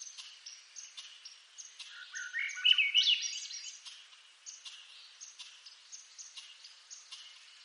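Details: In eastern North America, a Swainson's thrush gives a short, ringing phrase of rapid flute-like notes that rise and twist upward. Behind it, the steady high, clicky chirps keep a regular beat of about three per second.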